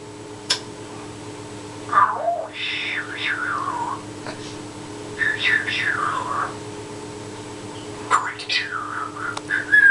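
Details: Rescued grey parrot, a male, gives three bursts of mimicked talking, mixing whistled and voice-like rising and falling phrases of one to two seconds each in a quiet room, likely his learned "Shut up" partly turned into "Sugar".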